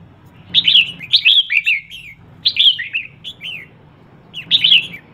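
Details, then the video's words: Female red-whiskered bulbul calling to stimulate males: three bursts of bright, warbling whistled notes with quick downward slurs, separated by short pauses, over a faint low hum. "CHÀO MÀO MÁI HÓT SIÊU KÍCH TRỐNG"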